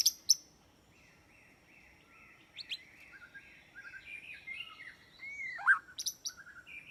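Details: White-rumped shama song as a trapping lure: sharp high clicks at the start, a pause, then a series of soft stepped whistles building into looping phrases and a loud downswept note.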